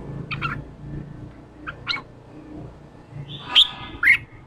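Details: Red-whiskered bulbul female gives "ché" calls used to stimulate a wild-caught young bulbul to sing: short chirpy bursts, then two louder, sharp, high notes about half a second apart, over a faint low background hum.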